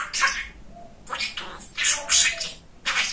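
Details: Pet male budgerigar, a talkative talking parrot, chattering in quick, scratchy bursts of high, buzzy syllables, about six short phrases separated by brief pauses, in a small quiet room.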